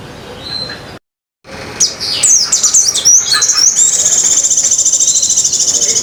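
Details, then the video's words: Sogon, or Sunda minivet, singing a song filled with white-eye trills (pleci ngecir) in competition style: a short silence, a burst of sharp high whistles, then a sustained, rapid, even, high-pitched trill running to the end. "suara sogon isian pleci ngecir"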